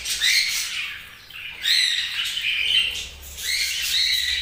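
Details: Several budgies giving short, scratchy chirps and warbled squeaks in three bursts, separated by a brief pause after the first second.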